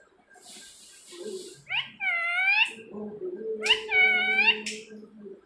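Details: Talking parrot kept as a pet, calling for its owner indoors: two loud, nasal, wavering speech-like cries over a steady low hum and faint hiss.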